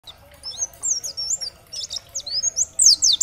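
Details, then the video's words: Oriental white-eye singing in the dakbal style, used as a tutor recording to spur other white-eyes to answer and sing: rapid high, thin whistled and slurred notes, rising and falling, in quick bursts that grow louder toward the end. "Terapi Masteran Pleci agar cepat Bunyi gacor dan nembak materi, pleci gacor"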